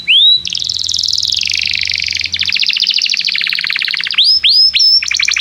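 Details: Canary singing as training material for young canaries: an upward whistle opens into a loud rolling trill, then a fast stuttering rattle and several sharp rising whistles near the end.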